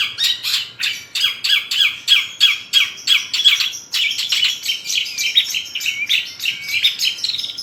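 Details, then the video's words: Lively Long-tailed shrike song crammed with fill phrases. Dense, continuous high chattering is built from rapid harsh notes repeated about three times a second, with scratchy trills and squeaks. "CENDET GACOR FULL ISIAN MEWAH SUPER"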